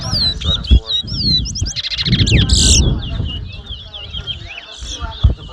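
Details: Towa towa (chestnut-bellied seed finch) singing in a 2022 bird whistling competition at Mahaica, Guyana: rapid high whistled slurs, then loud buzzy trilled bursts, over a crowd murmur and low rumble.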